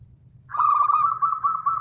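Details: Male zebra dove call: a single steady, mellow, slightly wavering tone held for over a second after a brief onset, with low background rumble.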